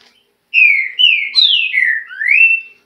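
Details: Trinca-ferro, or green-winged saltator, gives a rich whistled phrase: two falling slurred notes, a higher downward sweep, a lower falling note and a closing upward whistle, all run together in about two seconds against silence.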